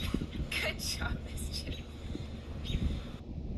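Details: A pet raven imitates human speech in short, hoarse, word-like bursts, saying hello and hi when prompted, with a person talking alongside and a low background hum.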